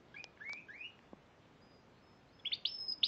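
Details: Spanish Timbrado canary, a champion at the Piala Raja singing contest in March 2014: a few short rising chirps and brief notes, a pause, then high rolled trills toward the end.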